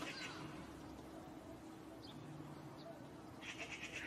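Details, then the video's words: Eurasian magpie, one of a pair settled in a courtyard in spring, giving alarm calls: short bursts of harsh, rapid, rattling chatter at the start and again at the end, over steady low background hum. "Pies bavardes et cris d'alerte"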